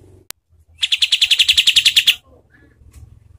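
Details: Harsh, fast-delivered kapas tembak call, a master recording for training competition birds: one sharp click, then a tight rattle of roughly fifteen rasping notes lasting over a second before quiet background.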